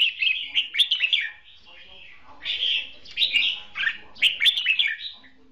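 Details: Decoy red-whiskered bulbul singing in a trap duel, pouring out loud, rich warbled phrases in three or four bursts with brief breaks, lively and slurred.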